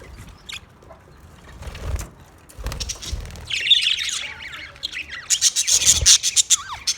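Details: Budgerigars: a quiet, low rumbling opening, then from about the midpoint a burst of high, scratchy chatter followed by rapid sharp chirps clustered near the end.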